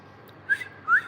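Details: A bulbul recorded on 30 December 2025 gives two brief, clear whistled notes, each sliding upward, about half a second apart, over a faint steady background hiss.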